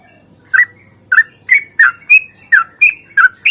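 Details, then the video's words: Yellow-vented bulbul singing an aggressive long-phrase song intended to trigger other bulbuls into song; evenly spaced short chirps, some slurred upward, about three per second after a brief pause. "trucukan GACOR tarung ropel panjang ini AMPUH bikin trucuk gacor bunyi NYAUT"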